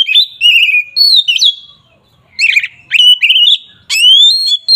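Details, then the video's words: Oriental magpie-robin in heated 'ngeplong' song used to provoke rivals: loud clear whistles, slurred descending and rising notes, several phrases with short pauses. "Suara burung KACER NGEPLONG ini samgat ampuh untuk menaikan emosi lawan"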